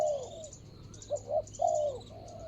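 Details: A spotted dove used as a ground decoy, recorded 24/01/65, ends one long falling coo, then gives a fresh phrase of two short notes and a drawn-out descending crooo, with light high chirping in the background.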